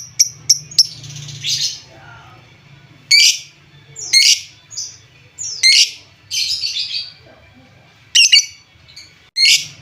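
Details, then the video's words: Lovebird sounds played to excite and prompt quieter lovebirds to sing: scattered sharp high chirps and short harsh squawky bursts at irregular intervals, with a low hum underneath. "Suara pancingan lovebird, menaikan emosi lovebird Bahan/Antau kurang aktif"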